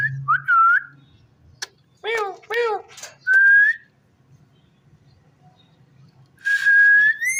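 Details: Rose-ringed parakeet talking with clear whistled notes, a pair of buzzy, speech-like syllables, another level whistle, and a long rising whistle at the end; a low hum runs underneath.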